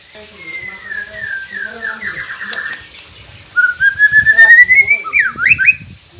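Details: White-rumped shama song for coaxing quiet caged birds to sing: a soft falling whistle over background chirping, then a loud rising whistled run ending in quick rapid sweeping notes.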